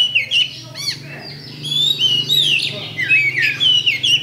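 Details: Oriental magpie-robin champion song used as fight-provoking bait: dense, melodious flow of high whistles, quick trills and a rasping chirp sequence near the start, over a constant low hum.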